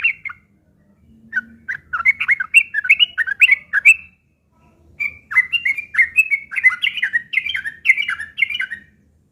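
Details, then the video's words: Yellow-vented bulbul's harsh chattering fighting song, a lure to set other bulbuls calling: two long runs of rapid, clear slurred whistled notes, the second steadier and rhythmic, separated by a one-second silence. "trucukan gacor TARUNG ngeriwik kasar pancingan trucukan agar bunyi jadikan burung trucuk gacor NYAUT"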